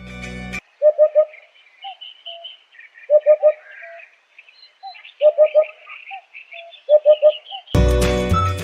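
Eurasian hoopoe giving soft, hollow 'oop-oop-oop' triplets about every two seconds, with thin chirps from other birds behind and brief bursts of music at start and end.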